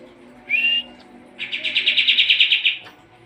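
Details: Sooty-headed bulbul used as a training song for competition birds: a short upslurred whistle, then a quick trill of about a dozen rapid, buzzy notes.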